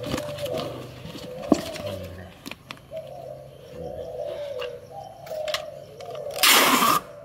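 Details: Breeding pair of captive spotted doves, a ringed female and unringed male, in the 'âm đồng' voice style, recorded 19 January 2024; soft low coos in spaced phrases over a steady buzzing hum, with a loud rustling burst near the end.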